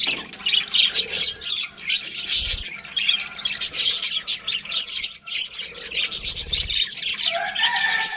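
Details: A group of budgerigars squawking and chirping, harsh high chatter broken by short low thuds, ending with a few clearer whistled notes.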